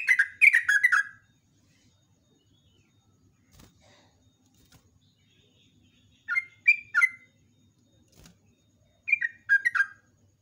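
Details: Yellow-vented bulbul song used to lure wild birds, recorded in the morning: three short bursts of fast, bubbly, falling notes separated by several seconds of near silence with faint knocks.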